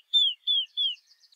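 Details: Southern beardless tyrannulet singing three clear, high whistled notes, each sliding slightly downward, spaced about a third of a second apart, with faint soft chips after.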